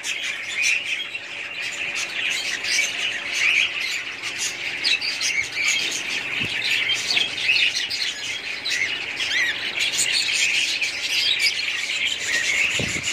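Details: Several budgerigars from a kept family group in steady, busy chatter: overlapping high chirps, squawky notes and scratchy warbles running without pause, with a faint low knock near the end.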